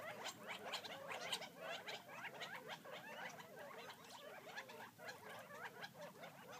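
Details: Wild Gambel's quail feeding outside Florence, Arizona: a dense, continuous chatter of many soft, overlapping chirps and short slurred notes from the flock, with no pause and a faint background hiss.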